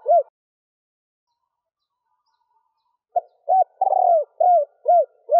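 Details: Cooing female spotted dove, used to excite males: one short hoot, about three seconds of silence, then a stuttering phrase of rounded notes and a long wavering coo, trailing into evenly spaced arched notes.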